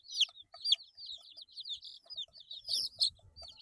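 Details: Chicken chicks aged eight days give loud high chirps, a few strong downslurred peeps followed by softer wavering trills, with rustling and shuffling noise toward the end.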